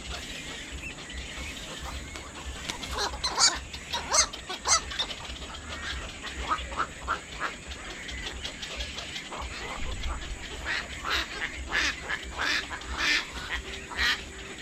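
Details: Black-crowned night heron: rasping, clattering calls in quick irregular bursts from several birds. A louder run of harsh squawks comes in the first five seconds and another near the end, over a constant low hiss.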